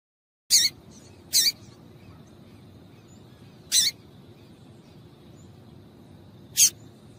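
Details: Female Double-collared seedeater calling to stimulate a male to sing: four sharp, very high chirps, two close together near the start, then two widely spaced, over a faint steady hum.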